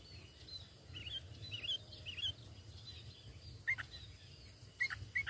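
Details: Natural lure call of the sooty-headed bulbul for bird trapping, without added songs: scattered slurred, bubbly chirps, then sharper emphatic notes near the end, set against a constant high-pitched hum and low background rumble.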